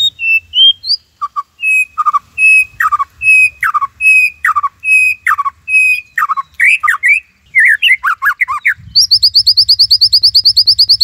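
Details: White-rumped shama from Cililin, a caged bird used as a tutor: repeated sharp whistled notes with downward slurs at steady spacing, then jumbled phrases and a fast run of high chips.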